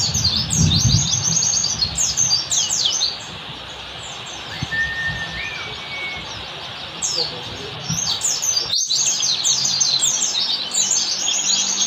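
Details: Oriental white-eye performing ngalas-style song as a training master recording for caged birds: fast high twittering bursts, a quieter pause with thin whistles midway, low rumbling background at the start and one sharp click before the chirping resumes.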